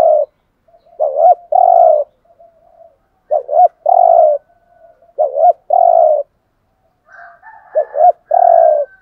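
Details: Spotted dove kept as a decoy bird, giving the urging coo style called thúc gù: low, mellow phrases of two quick clipped notes followed by a long, rolling coo, repeated in three bouts with brief pauses between them in a quiet setting.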